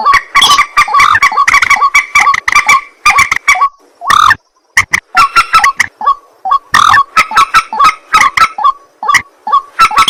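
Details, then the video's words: Night calling of a white-breasted waterhen: rasping, rapid 'ruak ruak' croaks in long loud volleys, one broad hoarse honk midway, then more clipped grunts and stuttering bursts. "ruak ruak mandar batu mp3 2 suara burung malam hari"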